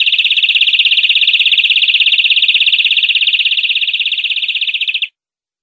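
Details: Tutor recording of European greenfinch song for training captive birds: one extended, evenly pulsed, buzzy trill at a steady high pitch, lasting about five seconds and softening slightly toward the end, with no other sounds.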